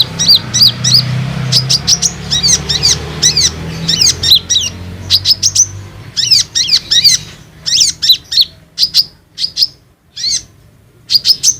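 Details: Olive-backed sunbird calls used as a lure to make untrained and group-kept sunbirds respond and sing: sharp, high chirps with hooked, bending notes in quick clusters of two to four, repeated steadily, over a faint low hum.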